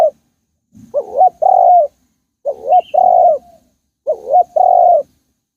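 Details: Spotted dove in Thailand calling: three clear coo phrases, each a short wavering note and then a longer steady low coo, about every one and a half seconds, on a quiet background.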